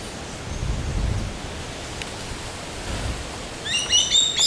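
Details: Common black hawk at Granja El Ojito, Falcón, Venezuela, giving a quick burst of thin, high piping whistles at the very end, after several seconds of steady wind-like hiss.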